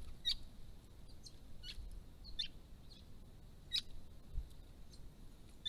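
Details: White-browed woodswallows in a large flock visiting a pond, December 2016, uttering crisp high chips every half second or so, some doubled, clear above a quiet low rumble.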